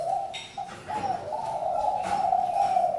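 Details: Spotted dove coo: one short low note, a pause, then a long continuous mellow throaty coo lasting about two seconds, with faint background chirping.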